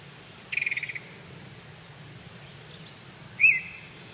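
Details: Yellow-breasted chat in a spring holler, several birds chasing one another nearby: a quick burst of about seven clipped notes, then a long pause, then a single louder squealing, bending whistle.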